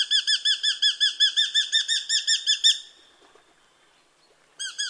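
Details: Eurasian hobby giving a rapid series of about thirteen sharp, high, slightly down-slurred 'kew' notes, evenly spaced over nearly three seconds, then a pause before the series starts again; otherwise quiet.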